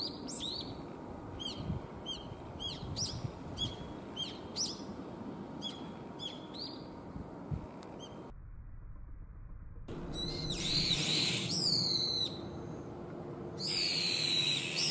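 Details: Young brown-eared bulbuls in a calling battle, spring to summer; quick runs of sharp high chirps repeated several times a second, a brief break, then louder, harsher squealing calls close by over steady background noise.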